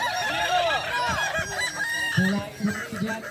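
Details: Several Kukuak Balenggek roosters crowing at a competition final in Solok, boko class; drawn-out rising and falling crows overlap, and low human talk and short bursts are heard near the end.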